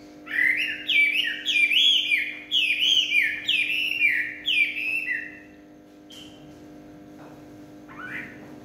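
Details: Evening song of a Chinese hwamei: a run of loud, repeated, rising-then-falling whistled phrases, roughly one every half second for five seconds, followed by quieter scattered notes and a final slurred whistle.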